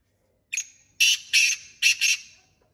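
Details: Black francolin in the jungle giving a harsh call: one short clipped note, then four loud, grating, raspy notes in two close pairs, spread over about two seconds against a quiet background.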